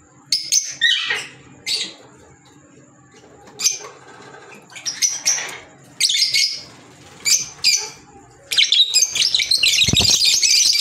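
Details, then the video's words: Green Fischer's lovebirds kept as pets: sharp, high chirps repeated in short separate bursts, then ending in a continuous shrill, noisy chatter of several birds. "Fisher Love Birds Sound | African Lovebirds | Green Fisher Love birds Voice"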